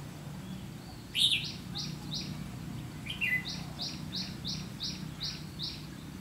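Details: Red-whiskered bulbul during trapping with a decoy; one sharp warbled note burst, then a series of short evenly spaced rising notes, over steady low hum.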